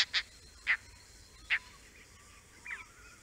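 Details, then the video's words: Oriental dollarbird on the Andamans giving four harsh, rasping chak notes at uneven intervals, then a fainter croaky note; background otherwise quiet. "Oriental Dollarbird"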